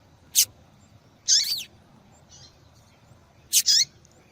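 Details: Female yellow-bellied seedeater calling to stimulate a male's singing: short, high, sharp notes, some with a falling tail, given in separate bursts about a second or two apart against quiet background.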